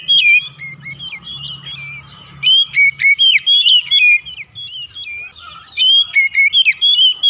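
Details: Oriental magpie-robin singing as a lure recording meant to prompt kept magpie-robins into song. Several loud phrases of clear, swooping whistles come in bursts over a faint low hum.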